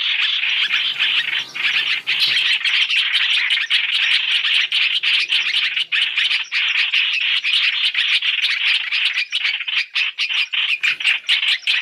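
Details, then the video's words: Chinese hwamei, three-in-one trapping lure: an unbroken, dense run of grating chatter lasting the whole stretch, the notes becoming more distinctly spaced toward the end. "Tiếng chim hoành hoạch (trao trảo) mồi 3 trong 1 chuẩn để bẫy"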